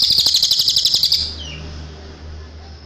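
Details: Cililin song from a clear tutor recording for cage birds: a rapid high trill of pulsing buzzy chirps lasting just over a second, followed by a faint downslurred note and a low steady hum.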